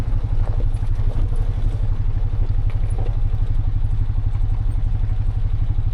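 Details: An idling engine throbs rhythmically with some clattering and thumps, and no animal sounds stand out.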